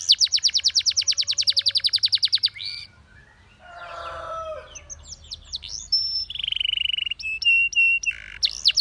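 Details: Canary, Russian singing type, singing to attract other canaries: a fast even trill for about two seconds, a lower rough fluttering passage, then scattered whistles and a sustained flat tone.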